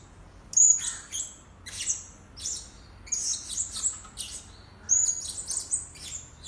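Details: Blue-crowned hanging parrot calls used as a lure: very high, thin, squeaky and twittering notes in irregular bursts about every second, over faint low background noise.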